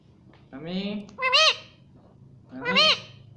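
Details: Pet rose-ringed parakeet talking, saying "mummy": two nasal, rising-falling two-syllable utterances about two seconds apart, voice-like with strong harmonics, in a quiet room.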